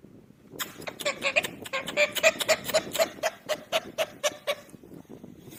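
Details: Pet talking parrot repeating "mitthu": a quick, regular run of short voiced syllables, about four per second for roughly four seconds, with a clicky, chattering quality over low background rumble.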